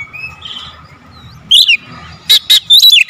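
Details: Kacer lure song: soft whistled notes give way to a few loud, sharp chips and a slurred falling whistle near the end, over a steady low hum.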